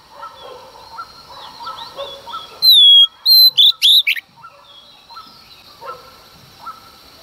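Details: Oriental magpie-robin female singing at dawn to stir up males; after quiet faint chirping, a bright falling whistle and a short burst of fast, ringing notes, then soft background calls again.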